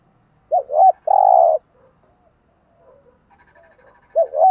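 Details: A spotted dove cooing, part of a male and female recording meant to stimulate a trained bird: a wavering double note and a long hollow coo, a quiet pause, then another wavering note at the end.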